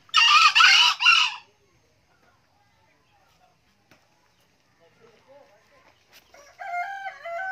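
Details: A loud, grating crow in two quick bursts from an old green junglefowl male. It is followed by near silence, faint ticks, and then a thin warbling whistle.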